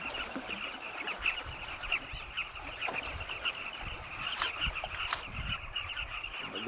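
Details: Carmine bee-eaters flying in flocks around their cliff nest tunnels at sunset in Zambia, hunting insects to feed chicks. A dense chorus of overlapping, rolling calls, with a few sharp louder clicks and low rumbling background noise.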